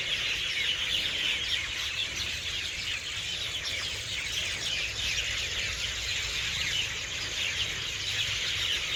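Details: Evening roost of hundreds of birds in garden trees: an unbroken, dense wash of high, overlapping chirps and tweets at steady loudness, with a faint low hum underneath.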